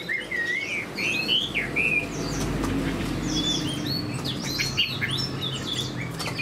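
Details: Chinese hwamei kept as a caged songbird, a spread-tailed fighting bird, sings loud varied whistles. Phrases sweep up and down, some slurred, others short and sharp, scattered across several seconds over low background rumble.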